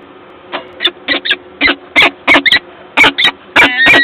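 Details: Peregrine falcon at its nest in Gdańsk, Poland, on 12 April 2022, from a live nest camera. It gives harsh, raspy calls in short bursts, about ten in four seconds, ending with a longer drawn-out wailing note.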